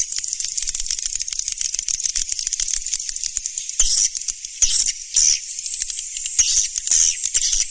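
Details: Swiftlets, recorded as a lure sound, give a dense stream of sharp high clicks and twittering chirps that run continuously, with brighter, louder bursts near the end and no other clear sounds.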